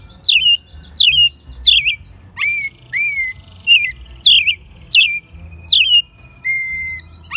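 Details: Captive American robin, hand-raised from a chick, singing in Mexico City in March 2020, its second singing year and still a little rough; short slurred whistled phrases mixed with thin high squeaky notes, repeated roughly every 0.6 seconds.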